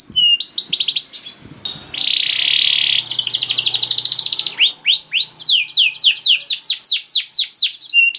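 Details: Singing canary, long 'gacor' song used to prompt other canaries to sing: mixed chirps, then a rasping buzzy trill, a fast rattling roll and rhythmic downward-swept whistles repeated about four times a second.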